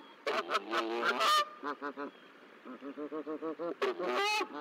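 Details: Goose at the Decorah nest on hatch day, 13 April 2024, as goslings emerge: loud harsh honks open, then a long even series of short nasal clucking notes, and another rough honk at the end.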